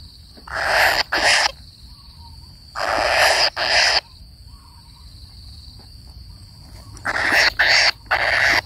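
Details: Kingfisher chick waiting for its parent utters harsh, rasping begging calls in pairs, three clusters spaced a few seconds apart, with a steady high-pitched insect drone throughout.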